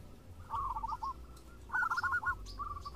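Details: Local zebra doves trade phrases: two short bursts of rolled, bubbling cooing notes separated by a pause, then a fainter trailing phrase. The notes are mid-pitched, over a faint background hum.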